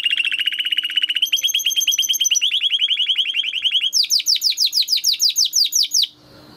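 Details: Singing Timbrado canary on a training recording: a fast, even rolling trill that steps up in pitch partway through, then a series of loud, steep downward-swept notes about three per second, followed by quiet.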